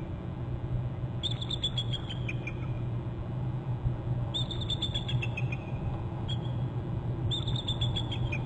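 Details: Both bald eagles at a nest on Hornby Island alerting on intruders near their territory: series of high, thin, descending chittering notes in three bursts, over steady low wind rumble.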